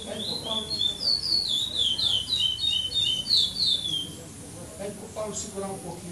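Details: Brown-plumaged chestnut-bellied seed finch singing in the classic praia style at the 7th stage of the Maranhão song tournament, São Domingos do Maranhão, 2014: a run of clear, sliding whistled phrases over crowd chatter and background noise, fading after four seconds.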